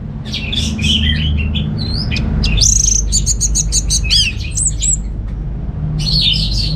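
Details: Orange-headed thrush in a cage in Singaraja, Bali, sings fast repeated sharp notes and a clear whistled phrase amid louder steady rumbling background noise.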